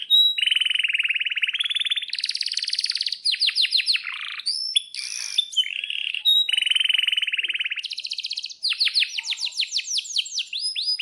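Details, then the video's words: Canary singing long rolls, used as a lure and master song for young birds: steady buzzy trills alternate with bursts of fast sweeping whistles and rattles, all high-pitched and continuous over eleven seconds. "suara kenari gacor panjang"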